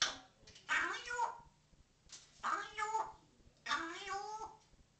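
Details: Pet parrot talking and swearing indoors: three drawn-out, speech-like phrases with wavering, rising and falling voiced tones, each lasting about a second, separated by short pauses.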